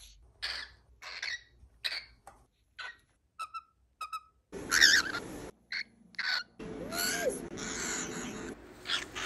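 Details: A pet cockatiel named Lychee, recorded September–December 2021, gives a series of harsh, screechy "AAAA" squawks and short chirps with brief pauses between.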